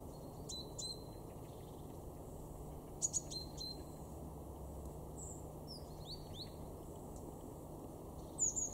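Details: Great tit in a garden in Weener, East Frisia, far northwest Germany, November 2022: short sharp chirps and clipped metallic notes, scattered irregularly, with a brief cluster of clicking ticks midway and a steady low background hum.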